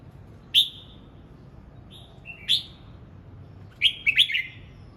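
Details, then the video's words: Practising its voice at morning, a red-whiskered bulbul gives clear, sharp whistled notes with falling tails, first single and spaced, then a rapid burst of three notes near the end. "Chim hót sáng hay | Chào mào hót luyện giọng 12 phút cực hay"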